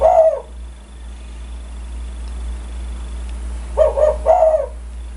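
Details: Spotted dove of kuk 1 style, a lure bird that sets others calling; the end of one coo opens, then after a pause a full phrase of two short husky notes and a longer rolling note, over low hum.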